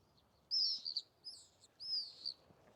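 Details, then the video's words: Common Swift, a summer visitor breeding in the UK, giving three shrill, buzzy high-pitched screams, each about half a second long and slightly descending, over faint background noise; swifts scream especially in groups. "Sound, a high-pitched screaming call, especially in groups."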